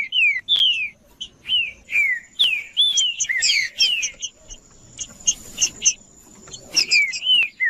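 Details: Green-winged saltator singing to warm up other saltators: a run of clear downslurred whistles repeated about every half second, mixed with buzzy chattered notes in the middle and a steady high thin tone behind.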